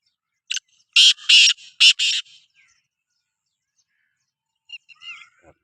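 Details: Sindhi black francolin (kala teetar) giving its loud call: one short rasping note followed by four harsh, buzzy bursts in quick succession, then silence and faint thin chirps from another small bird.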